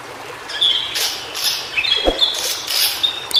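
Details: White-browed Shortwing (Brachypteryx montana) in its native habitat, giving a thin, high, sweet warbling song of short whistled phrases, with bursts of hissy background noise like running water.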